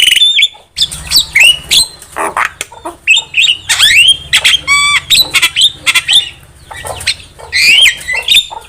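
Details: Javan myna lure song: dense chatter of squawks, downslurred whistles, clicks and a short rattling trill, in irregular phrases over a low hum.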